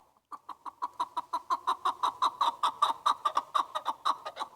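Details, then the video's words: Chukar partridge (keklik) calling: a steady run of about twenty short, hoarse, clucking chuk notes, four to five per second, growing louder after a quiet start, with no other clear sounds. "Keklik Sesi • Chukar bird sound • Chukar bird Awaz"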